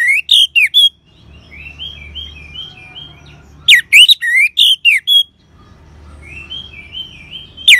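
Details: Orange-headed thrush ngeban song meant to stimulate caged birds: repeated clusters of loud, bright, downslurred and upslurred whistles, four to seven per burst, alternating with softer rippling warbles.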